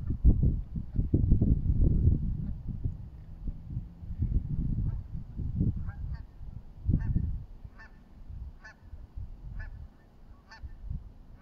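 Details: Canada geese together at a pond give short, nasal honks, a few close together and then more spaced out; heavy low wind rumble covers the first half.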